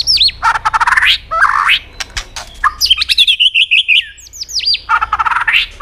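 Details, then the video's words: Fighting song of a white-rumped shama with many voices, meant to provoke other birds: harsh buzzy bursts alternate with quick looping whistles and crisp clicks, with repeated rasping phrases. "kích chòe lửa hót cực sung.chòe lửa hót tạch liên tục kích thích chim ức chế"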